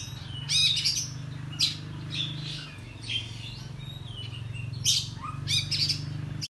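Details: Oriental magpie-robin song in the morning, used as a lure to excite other birds. Bright whistled phrases and sharp chattering bursts spaced a second or so apart, over a steady low hum.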